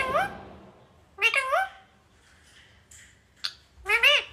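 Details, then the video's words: Pet talking parrot indoors: a few short harmonic, voice-like squawks with wavering pitch, separated by quiet gaps, in a small room. "Talking Parrot"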